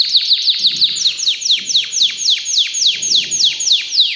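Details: Canary song from an excited canary: loud, rapid downward-swooping high notes repeated around four times a second without pause, a rich rolling phrase.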